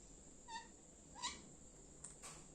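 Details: A pet Indian parrot, a talking bird, gives two short, harsh chirps about a second apart, then a couple of soft clicks, over a steady high hiss.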